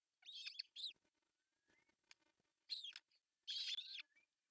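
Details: At a Finnish osprey nest on a June morning in 2024, when the male arrives with a fish for breakfast: several bursts of sharp, downslurred chirping calls, with a faint rising whistle and soft clicks between them.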